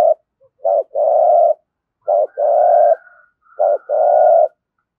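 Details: Spotted dove cooing in the 'giọng thổ' style, used to stimulate cooing. Three phrases come about every 1.7 seconds. Each is a short low note followed by a longer, steady, mellow coo, against a silent background.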